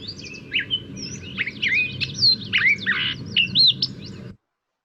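Gray Catbird song: a rapid, jumbled run of varied squeaky, squawky and slurred whistled notes, with a steady low hum underneath.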